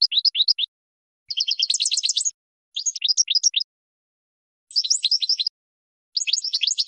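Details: European goldfinch song used as a training recording: five separate phrases of tinkling twitters and buzzy trills, each under a second long, divided by short pauses, on a clean background.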